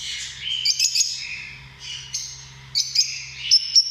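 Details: High squeaky lovebird notes in short clusters of sharp chirps, separated by quieter warbling twitters, with a thin whistled tone near the end and a faint low hum.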